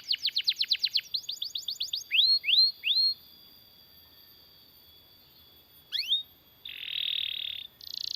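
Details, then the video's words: Long rolling canary song meant for tutoring and stirring other canaries into song: a fast pulsed trill, then several rising slurred whistles, a quiet gap, two quick upswept notes, and a closing buzzy trill. "BURUNG KENARI GACOR NGEROL PANJANG UNTUK MASTERAN KENARI DAN PANCINGAN KENARI AGAR BUNYI GACOR"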